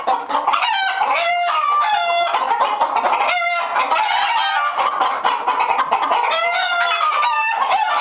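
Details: Several alarmed hens in a henhouse cackle and squawk over one another in loud, harsh, overlapping bursts, with some rising, strained cries standing out every second or two.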